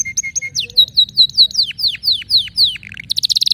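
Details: Canary singing clear whistled notes followed by a series of downward-sliding notes and ending in a fast high trill.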